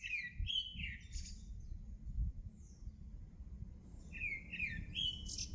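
A songbird sings two short phrases of clear, slurred whistles, rising and falling, separated by a pause of about three seconds, over a steady low rumble.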